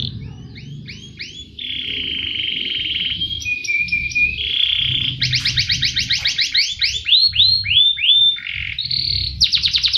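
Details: Canary in loud, fast song used as a training model to draw out singing in other birds, with rapid trills of repeated notes, steady held tones, and chattering rolls that switch pattern every second or so.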